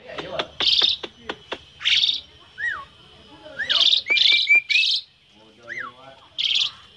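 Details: Black-winged myna, locally jalak putih, singing with many varied phrases even while held in the hand; sharp clicks, loud harsh buzzy bursts and short down-slurred whistles, with quiet pauses between phrases.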